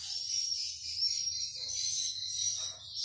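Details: Inside a swiftlet house, a colony of edible-nest swiftlets (Aerodramus fuciphagus) fills the air with a dense, unbroken wash of high, thin chirps and twitters from many birds at once, with a faint low hum beneath.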